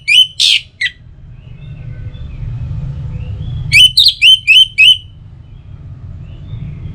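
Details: Orange-headed thrush singing, used morning and evening to set other birds singing: a few scattered notes, then a tight run of five clipped, bright whistled notes, with soft low hum throughout.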